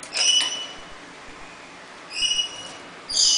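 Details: Rainbow lorikeet taking a bath gives three shrill, harsh screeches, each under half a second, with a short pause after the second, over faint background hiss.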